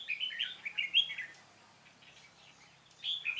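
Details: Red-whiskered bulbul in the field during decoy trapping, 13 March 2017: a quick bubbly warbled phrase followed by a lull and the start of another phrase.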